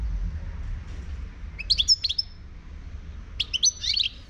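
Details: Wild European goldfinch from Morocco giving two short bursts of sharp, bright twittering notes about two seconds apart, with quiet low background noise between them.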